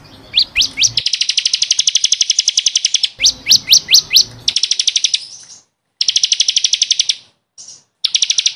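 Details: Caged bar-winged prinia (ciblek kristal) song from a training recording for caged birds: fast runs of sharp, high chirps and buzzy trills, some rising upward slurs, repeated in bursts with abrupt cuts and short silences between sections.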